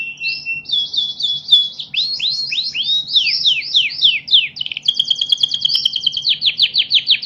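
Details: National champion canary singing a fast, high-pitched song. Bright trills and rolling runs of quick, sliding notes change in rapid succession, over a faint low hum.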